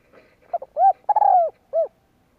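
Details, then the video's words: Spotted dove coo for stimulating males in training: a single close phrase of quick soft lead-in notes, a rounded coo, a long drawn falling coo and a short final coo. "Tiếng chim cu gáy kích bổi nhanh nổi"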